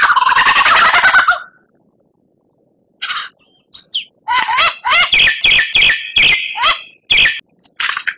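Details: Oriental magpie-robin song recorded as training material for captive birds: a harsh scratchy burst, a pause, then a lively string of rising whistles and chirps, roughly three per second.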